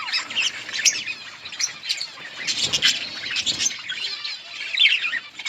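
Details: Many budgerigars chirping while eating green leaves in a colony, a constant bright chatter of overlapping high chirps and warbles.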